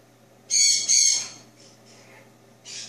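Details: Pet male Jenday conure aged two, recorded indoors in the small hours after drinking bird milk. A loud doubled harsh screech is followed by faint, breathy notes and a final softer rasp.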